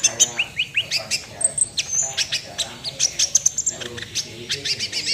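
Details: Sunbird in full 'nembak' song: a run of short upslurred whistles, then dense sharp ticks and high piercing notes repeated quickly.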